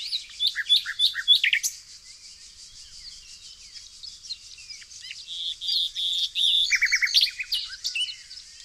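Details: Nightingale song recorded unedited in green countryside of Tonekabon, Mazandaran, northern Iran, amid flowers. Quick scattered chirps and short trills, a quieter pause, then a high sustained whistle and a fast descending trill, with faint background twittering.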